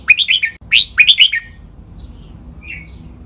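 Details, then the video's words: Captive red-whiskered bulbul sings doubled Pa La-u style phrases for other birds to copy: two quick runs of bright, bubbling whistled notes, then near silence with one faint soft chirp. "นกกรงหัวจุก | รวมเสียงร้องเบิ้ล 23 นับดอก แม่บท ลากหวาย เพลงป่าละอู"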